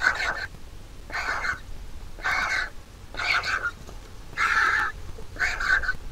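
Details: Large vulture nestling begs as the mother feeds it, giving rough, raspy calls repeated roughly once a second, six in a row, against a noisy rumbling background.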